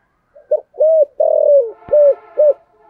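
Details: Captive spotted dove decoy, 'thúc gù' coo in the 'giọng sấm thổ' style: a brief note, a steady hollow coo, a long falling coo and two short firm coos, with a single sharp click.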